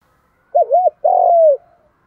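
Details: Single phrase of spotted dove cooing, a 'đồng thổ' challenge voice used to attract wild doves: a pair of rounded, bouncing notes, a short pause, then a sustained mellow coo trailing downward.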